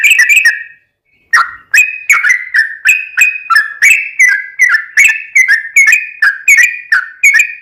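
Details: Lure song of a sooty-headed bulbul meant to prompt other bulbuls to reply: a short chattering burst, a pause, then a long run of bright bubbly whistles repeated roughly three per second, each note dropping slightly in pitch.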